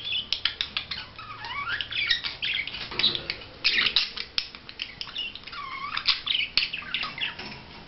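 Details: Budgerigar in courtship display, chattering with clicks and chirps interspersed with slurred whistles that swoop down and up, repeated several times through the warble.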